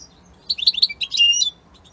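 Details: European goldfinch, an Italian goldfinch, singing a bright burst of high, tinkling, twittering notes lasting about a second, quick chirps running together into a jangling phrase against a quiet background.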